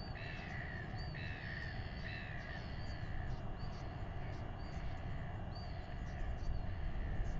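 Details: Royal albatross chick being fed by its father, New Zealand, at weighing time: a run of short, bright, harmonic squeals clustered in the first few seconds, fainter notes later, over steady wind.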